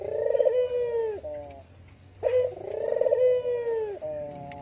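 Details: Dove giving a luring coo: two long, throaty, vibrating coos that waver at the start, hold steady, then drop into a brief stepped tail of short notes, with quiet rumble between calls.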